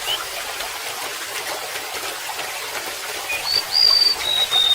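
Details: Golden-bellied gerygone gives a few high, thin whistled notes in the final seconds, sliding and wavering, over steady trickling water.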